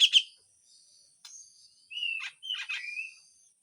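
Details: Grey-cheeked bulbul giving harsh full song with besetan phrases, opening with a loud burst of high notes, then sparse faint tones and two smooth, level whistled slurs near the end.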